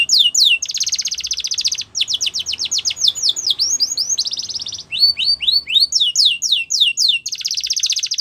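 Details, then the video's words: Yellow canary singing in the wild, energetic and unbroken: high buzzy rolls alternate with rapid runs of repeated falling chirps. Each tour repeats one note type many times before changing. "Yellow Canary Singing In The Wild"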